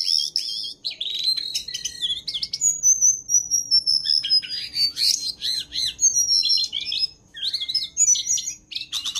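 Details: Jongkangan master song for training: a long, varied stream of high twittering, fast chips and long thin descending whistles, phrases rising and falling almost without pause, with a faint low background hum.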